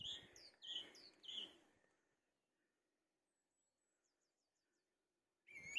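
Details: Song thrush perched at the top of a tree, giving three quick repeated chirping phrases at about two-thirds-second intervals, then near silence with faint, distant high chirps trailing off before another loud note begins at the end.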